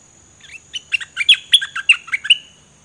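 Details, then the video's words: Recorded in 2020 for young birds to copy, a dok taeng bird delivers a rapid string of about ten sharp, high chirps in an even rhythm, each note sliding downward, with little background noise. "เสียงนกดอกแตงเจ้าเพชรกับเจ้ามณี เสียงใหม่ล่าสุด2020ไว้สำหรับต่อ ใช้หัดลูกนกให้ร้องตาม"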